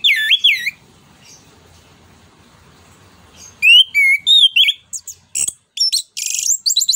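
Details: Stimulating other birds with ngeplong nembak song, an orange-headed thrush gives a looping whistled phrase, falls quiet, then pours out varied wavering whistles, sharp chips and a harsh buzzy note in quick succession.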